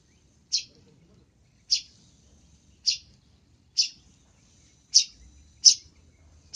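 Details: Long-tailed shrike lure call: short, loud, rasping notes spaced about one second apart, seven in all, against near silence.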